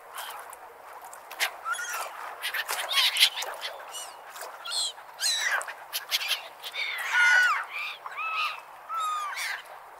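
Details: Gulls at the beach: several birds giving overlapping arched, mewing cries with bright harmonics, some rising then falling, repeated irregularly, among sharp clicky bursts and a steady background hiss.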